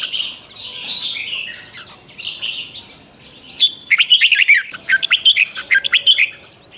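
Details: Red-whiskered bulbul in morning singing training; softer blurred warbles open, then a loud burst of sharp, rapid whistled and looping notes follows halfway through.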